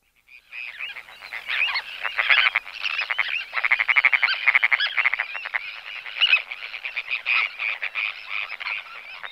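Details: Sandwich terns at a breeding colony give a dense, overlapping chorus of harsh, grating, high-pitched calls, several a second, from many birds at once: display calls in the air and alarm calls.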